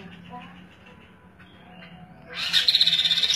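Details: Indonesian songbird known as kaso-kaso, kidangan or tepus glagah, singing vigorously for use as a training model: a low steady hum, then near the end a sudden loud rattling trill of quick repeated high notes.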